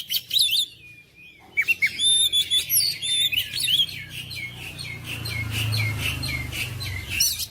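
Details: Oriental magpie-robin song used to stir quiet, lazy magpie-robins: an opening chatter, a brief pause, then a steady run of rapid chirps and whistles over a low rumbling hum.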